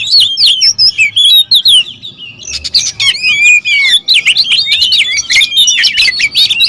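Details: Several territorial oriental magpie-robins quarrelling, a dense loud tangle of whistled slurs, rising and falling notes and scratchy chatter, overlapping with almost no pause.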